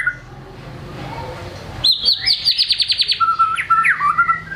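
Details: White-rumped shama, kept in a cage, singing varied material used as a lure for silent birds: after a quiet start, a fast rhythmic series of high repeated notes, then lower whistled phrases with a sudden downward flick.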